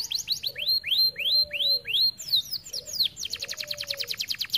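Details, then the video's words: Canary song for training young canaries: a run of loud upward-swooping whistles, each about a third of a second, then a quick chatter and a dense, fast trill of sharp ticks. A soft lower whistle sounds beneath. "Kenari gacor cocok untuk masteran"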